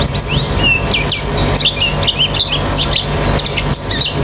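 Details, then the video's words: White-eyes in a therapy recording meant to get a bird singing quickly with an open beak: dense overlapping high chirps and short swept whistles, with one longer level whistle near the start, over a steady low hum. "Terapi Pleci Cepat Ngalas Buka Paruh"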